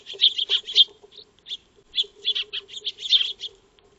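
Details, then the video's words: Eurasian tree sparrows, or Maya birds, feeding in a backyard before a solar-powered wildlife camera; clipped high chirps in quick clusters, a short lull, then another chattering burst, with a soft steady hum beneath. "Eurasian Tree Sparrow (Maya Birds) Feeding"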